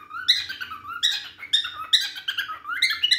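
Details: A cockatiel sings a run of bright, warbling whistles with rising and falling notes while running after a baby, about three short phrases in quick succession, indoors.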